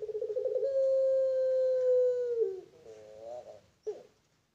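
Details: Pelung-type Barbary dove at a bird farm giving a rolling start that runs into a long, steady, mellow coo of about two seconds, then a lower wavering tail and a brief final note.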